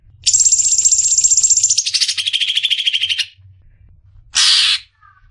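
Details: Greater green leafbird (cucak ijo) song used as training material: a high, steady buzzy trill that drops in pitch halfway through, then stops, followed after a pause by one short harsh burst.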